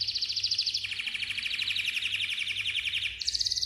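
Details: Malta canary song: long sustained trills of rapid high notes, dropping to a lower trill then jumping back up to a higher rattling phrase.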